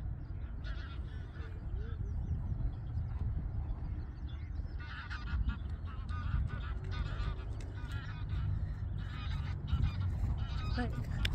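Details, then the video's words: Male Garganey recorded 30 April at Waterrijk-west: a series of dry, clicking rattle bursts strengthening in the second half, partly masked by strong low wind rumble, with thin high chirps of other birds. "Zomertaling man"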